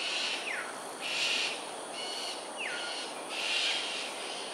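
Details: Cockatoos giving an aerial display at Sungei Ulu Pandan, Singapore, 13 January 2022, 7.43am. Loud, harsh screeches alternate with two clear, sharply falling whistles from another bird.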